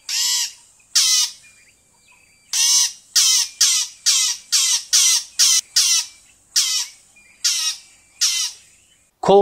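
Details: Fork-tailed Drongo in southern Africa giving a string of harsh, grating, buzzy notes, about thirteen in nine seconds, spaced unevenly, with a brief voice at the end.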